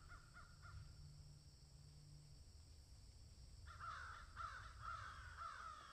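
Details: Three soft caws from crows in a field, a pause with a low hum, then a louder run of harsh, rapid cawing notes to the end.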